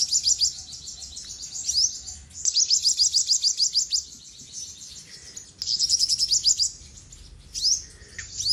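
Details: Singing olive-backed sunbird, known locally as sogok ontong. Very high, fast, chattering trills come in repeated bursts about two seconds long, separated by quieter gaps and single rising whistled notes.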